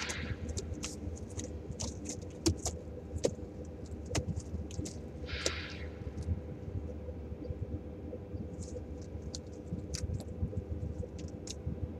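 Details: Low vehicle rumble with scattered metallic clinks and jangles, and no animal calls heard.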